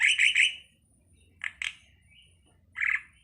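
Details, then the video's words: Starling (jalak) with three loud harsh notes in quick succession, a short double chirp, then one more rasping note, over a faint low hum. "suwara //burung jalak//"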